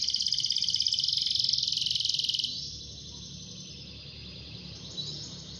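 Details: Canary song meant to set other canaries singing: a rapid, evenly pulsed high trill for about two and a half seconds, then a softer, fainter continuation to the end.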